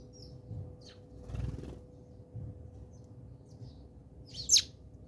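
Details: House sparrows squabbling at a garden bird feeder in South Africa, birdseed drawing them in; a couple of faint high chirps, then one loud sharp chirp near the end, with soft wing flutters and low background hum.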